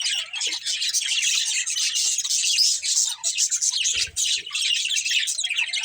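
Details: A budgie family chattering, many overlapping fast chirps and warbled notes forming a continuous busy chorus, with a brief low knock near the end.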